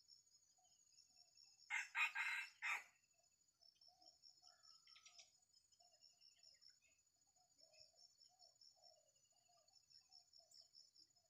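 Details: Sumatran Red junglefowl crow from a decoy rooster luring wild birds in a small oil palm plantation; one short, raspy, segmented crow, followed by a steady high insect drone and faint low calls.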